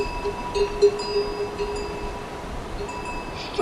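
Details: Ringing chime tones, steady sustained notes with gentle repeated strikes, and no animal voice.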